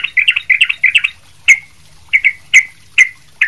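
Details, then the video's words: Sooty-headed bulbul singing busily, used as a training recording for other bulbuls: a quick run of clustered chattering notes, then spaced, sharp downslurred chirps, each standing out cleanly against a quiet background hum. "trucuk ribut gacor buat masteran trucuk lain"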